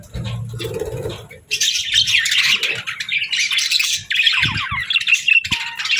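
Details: Pet budgies chirping: dense warbling chatter with rapid chirps and squeaks, a quieter start with low thumps before the chatter grows loud.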